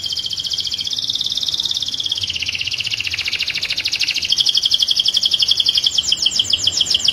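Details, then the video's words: Canary singing to stimulate other canaries to sing: rapid continuous high trills, first a broad buzzy rolling tour that dips, then a steady fast chop of clipped notes, ending in quicker sweeping repeated notes, with low background hum. "تغريد رائع لطائر الكناري في قمة الجمال لتحفيز طيوركم على التغريد"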